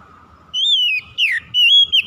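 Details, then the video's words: Short burst of oriental magpie-robin song from a lure meant to make lazy birds sing: three clear whistled phrases, a falling glide, a sharp swoop and a level sustained whistle, with faint low noise in the gaps. "PANCINGAN SANGAT AMPUH MEMULIHKAN KACER MALAS BUNYI CEPAT GACOR"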